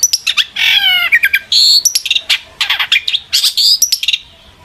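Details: Long-tailed shrike in lively, emotional song, played to provoke other shrikes into answering; dense, scratchy chattering phrases mixed with quick high chirps and a harsh buzzy stretch, delivered almost without pause.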